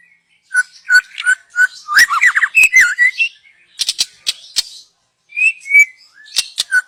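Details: Young wild white-rumped shama in the forest, song used as a lure; clear whistled notes repeated about twice a second, a quick rippling burst of slurred whistles, sharp clicks, then a pause and further rising whistles.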